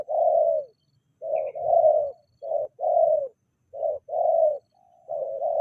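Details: Spotted dove cooing in soft, hollow, falling notes, delivered in clusters of two or three with roughly one-second gaps, a faint high twitter heard once.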